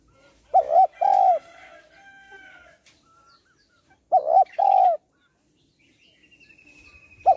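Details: Female spotted dove calling to stimulate males with deep, rounded two-part coos, roughly every three and a half seconds. A trill-like note, faint background chirps and a thin high whistle accompany them.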